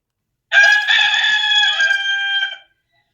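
A rooster gives one hoarse, ringing crow about two seconds long that starts loud and holds steady before fading out; nothing else is heard.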